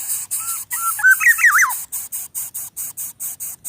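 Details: A greater coucal chick at the nest, struggling to swallow a rat head brought by its parent, gives rapid, harsh hissing rasps, three or four a second, with some thin squeaky rising and falling whistles.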